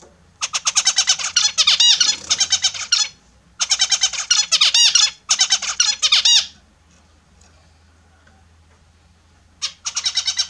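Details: Pet Australian zebra finches at their morning bath indoors, one singing loud bursts of rapid, buzzy, stacked notes mixed with nasal beeps, three long phrases of two to three seconds with pauses, then another phrase starting at the end.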